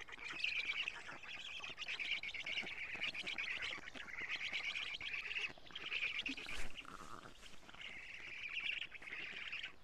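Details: Black stork young on an Estonian nest, 07:47 on 14 June 2017, while the female feeds them lampreys. Sustained grating, buzzy calling in long bursts, with one lower, softer note near the end.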